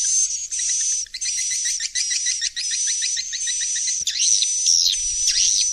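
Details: Swiftlet lure sound to make young birds stay and roost in a swiftlet house: continuous high buzzing with rapid trains of chittering clicks, then sweeping twittering chirps and a thin steady whistle near the end.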